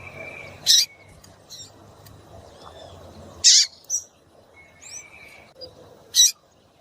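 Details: A female rusty-collared seedeater (coleiro tui-tui), played to stir males into singing, gives three sharp, high chips spaced about three seconds apart, with faint thin whistles between them.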